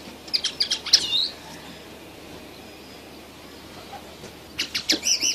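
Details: Young red siskin: a quick run of bright, high chirps opens, then a pause, then another fast twittering phrase of sharp notes closes.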